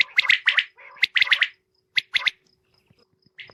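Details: Female common quail uttering a few quick clusters of hoarse, scratchy notes, then falling silent.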